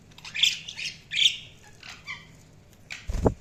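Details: Budgies chirping: a run of harsh, squawky chirps in quick bursts over the first second and a half, then softer scattered notes, ending with a low thump.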